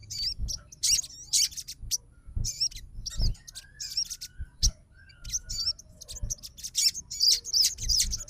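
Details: Sogon (Crimson Sunbird) fighter bird responding right after hearing another sogon's song; scattered high thin chips and short twittering notes with brief curling whistles, irregularly spaced, over a faint low hum.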